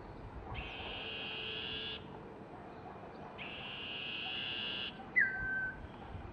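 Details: Young common iora calling for food: two long, harsh, buzzy notes of about one and a half seconds each, separated by a pause, followed by a short, sharp whistle that slides downward, over faint background hiss.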